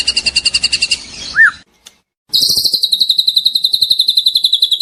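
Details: Young white-rumped shama (trotol) song: a quick high rattling trill and a short arched whistle, a brief silence, then another long fast trill of bright, evenly spaced notes drifting slightly downward.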